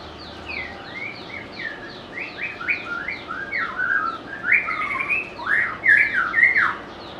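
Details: White-rumped shama, a favourite of bird collectors for its varied song and mimicry, sings a long fast series of sweeping whistles, quiet at first then growing louder with broad up-and-down slurs toward the end.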